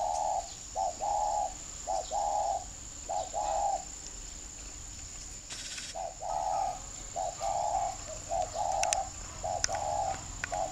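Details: Caged spotted dove from northern Vietnam, Ba Vì district near Hanoi, kept as a decoy to lure wild doves to a tree, cooing steadily: mellow low notes grouped as short coos followed by longer held ones, with a brief rustle midway.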